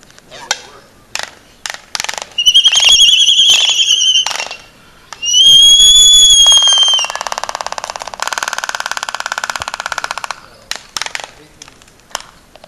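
Laysan albatross giving sharp clacking clicks, two drawn-out wavering whistled calls, then a long harsh buzzing rattle before more clicks.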